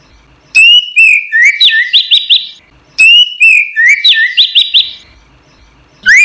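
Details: Orange-headed thrush singing on a recording used to train caged songbirds: a rich whistled phrase repeated twice about two and a half seconds apart, each a slurred glide followed by quick rapid chattering notes.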